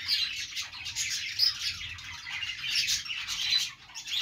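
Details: Dense budgerigar chatter of raspy warbling and squeaky chirps, punctuated by a few sharp whistled peeps, several birds calling at once without a break.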